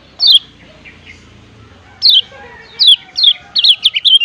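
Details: Lombok yellow white-eye (kecial kuning, pleci Lombok), used as a tutor and lure call to draw wild white-eyes. High, sharp, downslurred chirps: one near the start, then faint notes, then an uneven cluster of ciak-like chirps toward the end.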